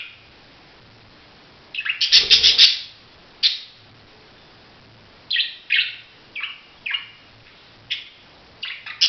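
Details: Budgerigar calling in short bursts of high, scratchy chirps, a loud cluster near the start followed by separate chirps every second or so against a quiet background.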